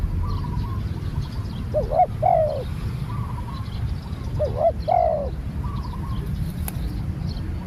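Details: Spotted dove, new bird in training, repeating its call twice about two and a half seconds apart, short notes rising into a falling coo, with faint notes of another bird and low rumble behind.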